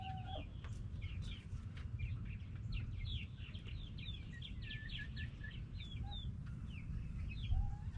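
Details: Backyard chickens, hens and roosters, make a lot of noise: scattered high, short, curving notes from several birds, with a brief lower whistle at the start and end, over low background noise.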